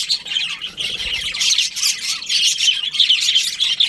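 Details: Many budgerigars chirping together during breeding season: bright, rapid, high-pitched twitters and short squawks layered into a steady busy chorus.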